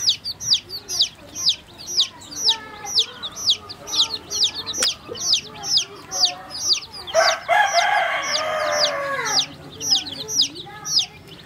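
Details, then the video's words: Baby chickens drinking water, a dense chorus of high, shrill peeps repeated about twice a second, each note sliding down, with a brief louder harsh cluck-like burst midway. "See How Baby Chicks Drinking Water"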